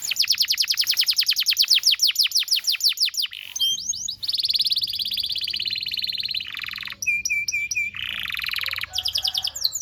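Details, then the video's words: Canary song for training young canaries: a long series of quick descending whistled sweeps, then dense buzzy rolls, a lower rattling trill and repeated clipped whistles. "PANCINGAN KENARI GACOR DURASI DURASI PANJANG UNTUK MASTERAN KENARI PAUD BELAJAR BUNYI DAN GACOR"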